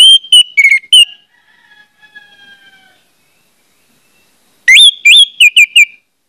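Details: Lure song of an orange-headed thrush, meant to prompt other birds of its kind to burst into song: bright whistled phrases with rising and falling slurs, then a quieter, lower warble and a pause before another loud run of notes.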